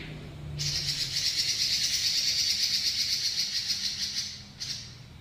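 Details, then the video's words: Robin singing a long rolling trill, the style called ngeroll panjang: a dense, buzzy, high rattle held steady for about four seconds, pulsing several times a second, then a brief restart; low background hum throughout. "BURUNG ROBIN NGEROLL PANJANG"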